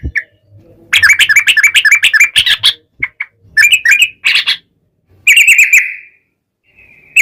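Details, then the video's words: Yellow-vented bulbul singing in long, rolling phrases, used as a lure to make other bulbuls reply: a fast string of sharp chirps, then gurgling notes and a drawn-out whistled phrase, with short pauses between. "trucukan gacor TARUNG ROPEL ini buat pancingan trucukan agar bunyi JADIKAN burung trucuk gacor NYAUT"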